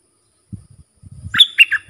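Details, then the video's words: Bulbul song for training hand-fed and young birds, with sap dok, bern and rik styles. A few low thuds come first, then a bright phrase of quick, warbled notes starts near the end. "เสียงนกดอกแตงEp.122สำหรับหัดลูกป้อน/ลูกเสอ มีครบในครบในคลิปเดียว สับดอก-เบิ้ล-ริก เพลงเพราะน่าฟัง"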